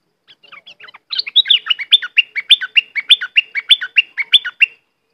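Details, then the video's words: Southern dok taeng bird, a training recording for young birds to copy: a few soft chirps, then a fast run of loud, high, sweeping two-part notes repeated about every quarter second for over three seconds. The background is quiet. "เสียงต่อนกดอกแตงใต้Ep6. ไว้สำหรับต่อ หัดลูกนกเปิดให้ร้องตาม"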